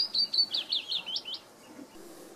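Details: Singing willow warbler at Auld Haa Garden, Fair Isle: a clear, sweet phrase of repeated slurred whistles stepping gently downward in pitch over about one and a half seconds, then quiet.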